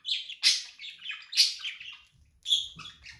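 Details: Pet budgerigar producing loud bursts of buzzy, grating chatter, about three phrases roughly a second apart, with a soft low rumble near the end.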